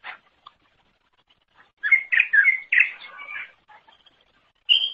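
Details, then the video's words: Cucak ijo, a leafbird, singing for use in training other songbirds: a few scattered notes, then a burst of rich, slurred whistles and chatter, ending with a high, clear note. "Kicauan Super Cucak Ijo Gacor Untuk Masteran"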